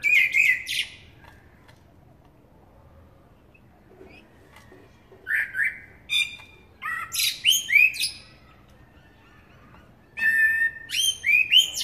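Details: Eurasian blackbird (Turdus merula) singing: three bursts of phrases, each starting with clear whistled notes and breaking into high, squeaky, rapid twittering, separated by quiet pauses of a few seconds; faint low background hum.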